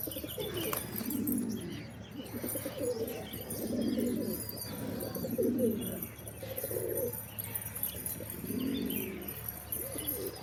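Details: Pigeons cooing in low, rolling bursts that swell and fade about every one and a half seconds, several birds overlapping, with a faint steady hiss behind.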